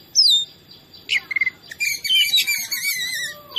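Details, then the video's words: Kacer, the oriental magpie-robin, in a lure recording to provoke other birds: a clear falling whistle, quick stuttered notes, then a long rich warble of overlapping whistled phrases ending in a rising note. "Dijamin emosi dan ngobra dengan masteran kacer ini"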